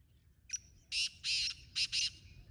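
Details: Wild black francolin calling along with a captive francolin: a short thin note, then four loud, harsh, buzzy grating notes in a rhythmic phrase, two longer then two shorter, over a quiet background.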